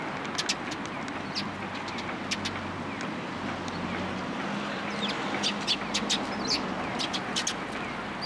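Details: Sparrows in blooming cherry trees at a Japanese shrine, April 2023; frequent short bright chirps in irregular runs throughout, set against a continuous low hum of traffic.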